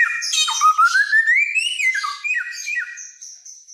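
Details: Brief helmeted friarbird phrase, a loud-voiced mimic from Nusa Tenggara: buzzy opening, a smooth whistle gliding steadily upward, then falling notes and a fading high thin whistle.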